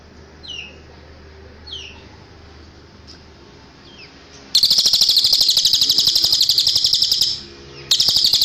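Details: Cililin song used as a tutor recording for caged birds: a few faint descending whistled notes, then a loud, fast, buzzy high trill lasting almost three seconds, and another trill starting at the end.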